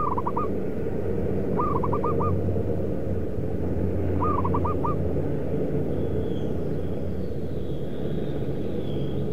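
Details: Zebra dove at a factory making concrete pipes and paving in Kudus, Central Java, where wild birds are being trapped. Three short rolling coo phrases come roughly every two and a half seconds over constant low rumble.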